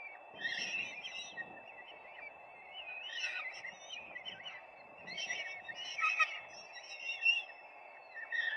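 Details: Peregrine falcons at the nest, live camera, 4 May 2025: bursts of grating, chattering calls come in groups every couple of seconds, with quieter hiss between them.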